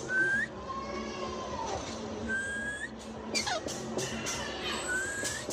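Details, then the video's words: Parrot in Myanmar giving short rising whistled notes, repeated several times with gaps, alongside lower drawn-out whistles and a few sharp clicks over a steady background hum. "Parrot Myanmar"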